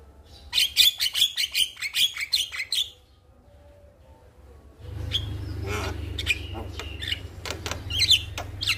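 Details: Calling male Javan myna, heard as a lure for a female: a rapid chattering series of sharp notes, a quiet gap, then scattered squawks and whistles over a louder low rumble.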